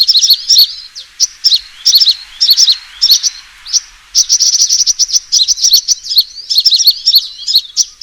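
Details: Sunbird fighting call used as a trapping lure: short clusters of thin, high chirps spaced about every half second, then a sustained rapid trill and more jumbled twitters.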